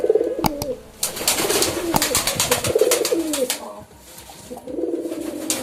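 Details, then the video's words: Pigeon giving soft, low rolling coos in short bouts, partly covered by frequent sharp clicks, rustles and clattering noises. "Pigeon Sound Effect 🦅 Pigeon Sound"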